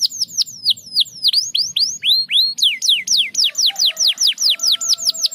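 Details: Canary song meant to stimulate lazy canaries to sing: rapid repeated falling whistled notes, high and sweeping, in fast trills with a brief shift to rising notes midway and faint low tones beneath.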